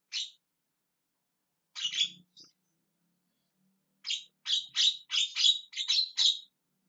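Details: Javan myna calling: an isolated squawk, a pair of harsh notes, then a fast run of seven rasping, screaming calls.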